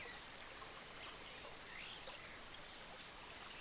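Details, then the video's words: Scarlet-backed Flowerpecker in its natural habitat in Southeast Asia: soft, high thin notes in quick clusters of two or three, sharp ticking chips with short gaps, over a quiet background. "later in the video you can hear the song of this incredible species captured directly in its natural habitat"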